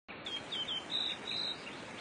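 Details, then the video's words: Pink robin giving a few thin, high whistled notes, short and slightly falling, over a steady background hiss. "Pink Robin Bird"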